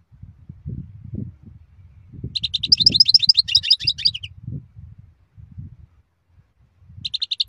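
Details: European goldfinch song in rapid high twittering phrases, a long liquid run of chirps and trills followed by a short repeated burst at the end, with low rumbling noise underneath.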